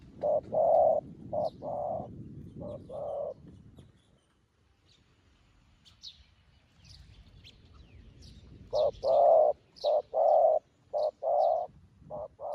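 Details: A newly caught wild dove being trained as a decoy to come down to the ground and call to wild doves coos in low, hollow bursts of short repeated notes. There are two runs with a quiet gap, over faint small-bird chirps and a low rumble.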